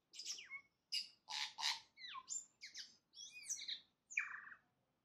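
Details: Singing at first light, a tui delivers loud, squawky phrases mixing harsh rasps with high whistles and downward slurs, about one and a half phrases per second.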